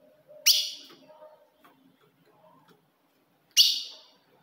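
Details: Ultramarine grosbeak, a female's call used to stir up a male: two crisp, high chip notes three seconds apart, each with a brief fading tail, and faint low rumbling between them.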